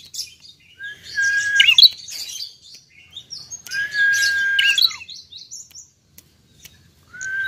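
Bar-winged prinia singing: each phrase opens on a steady, clear whistled note, then breaks into quick, buzzy, chattering high notes, about three seconds apart.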